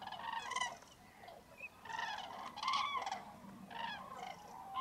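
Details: Hundreds of common cranes at a wintering roost in Spanish wetland fog, freezing January dawn; a near-continuous chorus of trumpeting calls, several loud bursts roughly every second or two over a low murmur.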